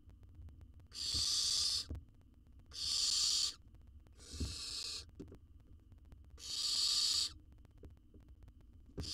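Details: Young wild owl in a monitored Israeli nest box, fed a jird it swallows whole, gives rasping snore-like hisses about a second long, four in a row, with soft knocks and a low background hum.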